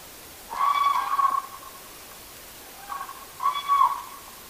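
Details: Common crane at a night gathering giving two loud, rolling trumpet calls, each just under a second, with a brief quieter note before the second; otherwise quiet.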